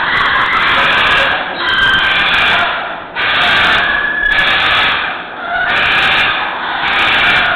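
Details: A macaw, likely captive, at a parrot sanctuary in Peachland on the morning of Saturday, September 8, in late summer 2012, gives loud, harsh, raspy screeches in long drawn-out bursts, roughly every one to two seconds, with brief pauses; called a really noisy one.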